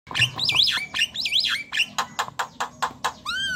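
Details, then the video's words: Javan myna in chattering 'gacor' song, used to coax silent, lazy or young mynas into singing: sweeping whistled notes rising and falling, then a run of sharp clicking chips about every fifth of a second, ending in curved whistles. "Jalak kebo gacor cerewet"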